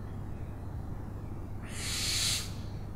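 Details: Owl heard once near the end, a hoarse hissing screech of about three quarters of a second, preceded by quiet low background hum.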